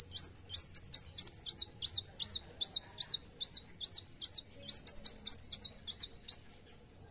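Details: Van Hasselt's sunbird (Leptocoma brasiliana), song.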